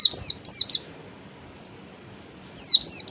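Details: Oriental white-eye giving ngalas song to lure others into replying: two short phrases of high, slurred whistles that drop in pitch, then a gap of nearly two seconds before another pair of notes.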